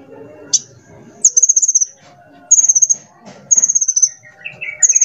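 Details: Sunbird prized as a tutor bird for its varied voice: high thin notes broken into fast pulsed trills, each burst under a second, repeated several times with brief pauses, ending in a lower warbled phrase.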